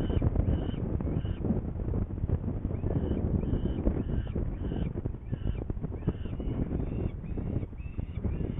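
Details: Saker falcon recorded in Hungary, 21 May 2019, 11:30, as a bird goes to fetch prey and the falcons appear not hungry; a series of hoarse, evenly spaced cries over steady low-frequency noise.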